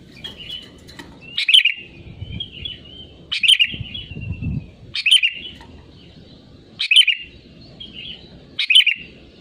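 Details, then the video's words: Sooty-headed bulbul (kutilang) lure song: short bubbly, chirping phrases repeated about every two seconds, each followed by a soft trailing whistle, with low background rumble. "BURUNG KUTILANG GACOR SUARA ASLI PALING AMPUH UNTUK PANCINGAN AGAR IKUT BUNYI GACOR"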